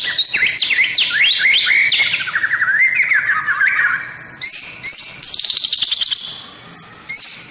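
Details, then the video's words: Sunbathing white-rumped shama singing in the morning: rapid jumbled zigzag whistles and chattering notes, then long high sustained trills broken by brief silences. "Masteran burung murai batu saat di jemur pagi pagi"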